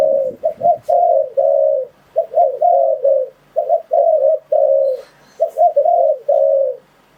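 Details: Lure recording of a spotted dove for trapping wild birds: clean repeated coo phrases, short doubled notes followed by a longer drawn-out falling coo, with brief gaps between phrases.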